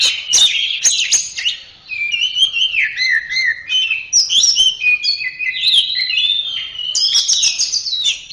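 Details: Continuous song of an Orange-headed thrush: rapid, varied whistled phrases jumping between high and mid pitches, interspersed with sharp clicks and chattering notes, scarcely pausing.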